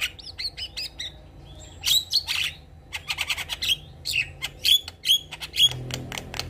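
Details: A Javan myna in full song while nodding its head: a busy, high jumble of bright slurred whistles, squeaky notes and dry clicking chatter in quick bursts with hardly a pause.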